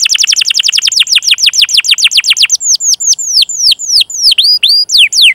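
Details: Canary song used as a training lure for young or silent canaries: a fast rapid trill of descending whistled notes for about two and a half seconds, then slower, louder downward-sweeping whistles and chirps.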